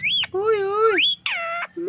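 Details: Parrot calling in a run of harmonic, nasal notes: a sharp rising-falling squawk, a long steady tone that sweeps upward at its end, then two shorter flat notes with brief gaps between, over a faint low hum.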